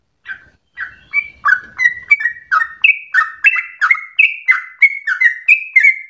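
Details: Sooty-headed bulbul song, rapid and fierce, used for provoking singing and as tutor material; after a faint opening note, a regular chain of whistled, downward-slurred notes builds, about three per second, in alternating pitches.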